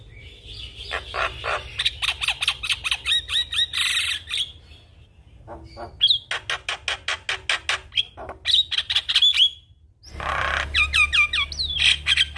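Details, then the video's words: Javan myna in full energetic song with varied fill-ins. Long series of rapid, rasping, clicking pulses are broken by short pauses and sharp whistled flourishes, with a low hum at times. "Jalak Kebo Gacor Full Isian Semua Burung Jalak Langsung Ikut Bunyi"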